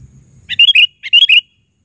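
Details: Sooty-headed bulbul calling two quick bubbly phrases, each a rapid string of three or four liquid chirps, with a brief pause between them.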